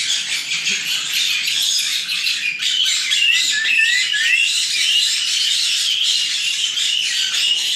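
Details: Aviary near Dallas, Texas, with nine young white-bellied caiques chattering nonstop: overlapping raspy squawks and short whistles form a steady, dense noise of constant loudness.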